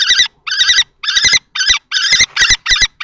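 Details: Two male common kestrels fight over a nest box at Théding, France, on 20 March 2024: an older adult-plumaged male drives off a young juvenile-plumaged male. Harsh, shrill call bursts repeat in grouped trains with short gaps, and scuffling thumps sound.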